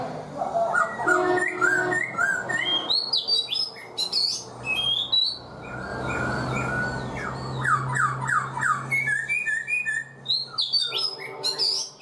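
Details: Black-throated laughingthrush, caged for four months, sings a long varied stream of chattering, squawky and whistled notes, with a run of rapid down-slurred whistles partway through over constant background hum.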